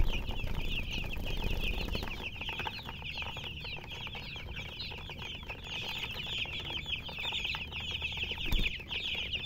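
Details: Chickens and a hen, with constant shrill chirps piling over each other in a dense, unbroken chatter, a brief sharp sound near the end.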